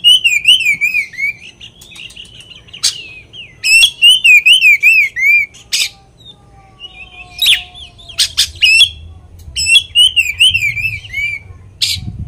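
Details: Oriental magpie-robin singing a provoking lure song meant to anger other magpie-robins. It has fluttering, wavy whistles broken by loud, sharp notes, delivered in a fairly continuous run of about twelve seconds.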